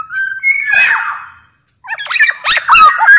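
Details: Large-bodied Sumbawa Black-naped oriole singing energetically as a lure and training model for other orioles: a smooth whistled note that wavers, a brief silence, then quick jerky fluted notes that rise and fall.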